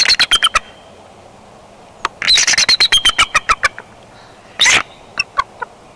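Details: Bald eagle pair at a nest on camera in Big Bear Valley, 3 January 2021, the female inviting the male to meet on the nest's back porch: bursts of rapid, sharp, high piping notes, a longer chattering run, then one loud harsh squawk and scattered chips.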